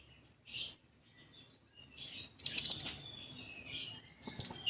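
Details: Sunbird, a 'kolibri ninja' lure recording meant to get other birds singing: short high chirps, then louder bursts of sharp twittering notes with thin whistled strands between them.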